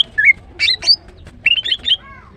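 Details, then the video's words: Female greater green leafbird singing in the morning: short whistled and slurred notes, some rising, in two bursts separated by a pause, with a soft fading double whistle at the end. "The female Green Cucak bird is chirping well, GREATER GREEN LEARBIRD"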